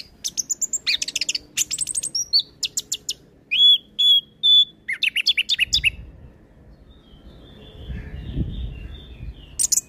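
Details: Tutor recording of a lively orange-headed thrush song for training young birds: rapid trills and chattering notes, then three long level whistles, more quick trills, and a quieter stretch with low background rumble.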